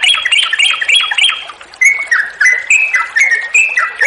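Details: Yellow-vented bulbul in long, continuous rapid song used as a lure to make other bulbuls sing: chattering, slurred notes repeated quickly, a higher run giving way to a lower bubbling phrase, over steady background hiss of flowing water.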